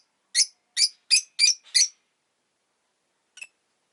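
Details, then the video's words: Rosy-faced lovebird chirping: a quick run of five sharp, high, harsh chirps about every third of a second, then a pause and one softer chirp near the end. "Lovebird Chirping Sounds"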